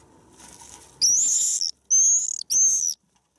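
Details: Common swift on 9 May, at its spring arrival. Three loud, shrill screams, each about half a second long, sharp and slightly descending, follow one another quickly after a quiet, rustling start.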